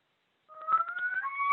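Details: Adirondack Common Loon yodel, a call given by males and described as an agitated alarm when something bothers them, such as an eagle overhead or fighting males: a long, slowly rising wail leaping to a higher note near the end; only the first second is heard.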